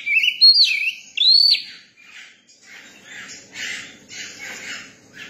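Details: Song of a young Oriental magpie-robin: two loud, looping whistled phrases open, sliding up then down. They give way to a run of quieter, buzzy, scratchy twitters.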